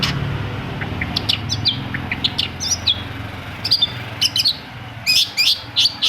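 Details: Long-tailed shrike (cendet) song used to coax reluctant shrikes into singing: scattered sharp chirps and short whistled notes of varied pitch, bunching into rapid clusters near the end, over a steady low hum.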